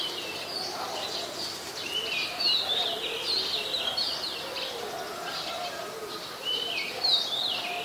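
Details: Black-collared starling in Ubon Ratchathani, Thailand, 12 July 2020: a continuous stream of high chattering, squeaky notes and short whistles, irregular and rapid, over a steady outdoor hiss, with fainter lower warbling notes underneath.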